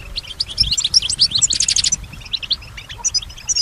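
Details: Female European goldfinch kept at home, known in the recording for mimicking nearby sounds, pours out quick high chirps and a short rattling buzz, then sparser twittering notes; soft low thuds beneath.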